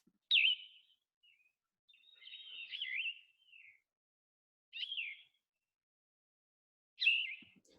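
Yellow-throated Vireo singing short, hoarse, slurred phrases with pauses of a second or two between them, burrier than the clear-voiced songs of related vireos.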